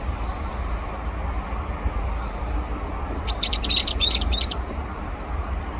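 A Brown-eared Bulbul gives a quick burst of about five shrill, squealing notes lasting just over a second, over a steady low rumble of wind or distant traffic.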